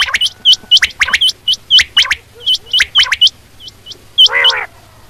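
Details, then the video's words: Quail calling in the morning, a call used for quail hunting: quick hooked, high chirps repeated about every quarter second, then a harsh, buzzy burst near the end from another bird. "chinag batair ki max awaz Shubha ke liay"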